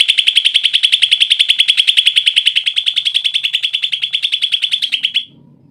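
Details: Song of a greater green leafbird played to stir lazy leafbirds into singing: a long, loud, rapid trill of sharp high notes, pulsing steadily for about five seconds before cutting off into near-silence.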